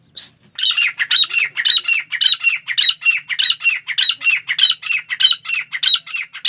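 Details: A grey francolin in Pakistan repeats a loud, harsh, grating call roughly every half second, in a steady unbroken series with little else heard.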